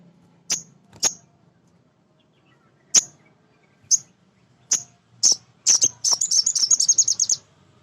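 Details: Male sunbird singing as a lure to rouse untrained birds: widely spaced piercing chips that speed up and run into a rapid high chattering trill near the end, over faint low hum.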